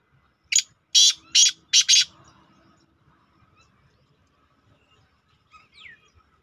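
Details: Partridge call used to attract partridges; four loud, harsh, broadband notes in quick succession, then near silence and a faint sliding whistle toward the end.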